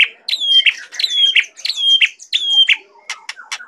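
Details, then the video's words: White-rumped shama song: a phrase of a sharp note and a long clear whistle followed by a lower slur, repeated four times in about three seconds, then short clicks. "Murai batu gacor goyang patah patah"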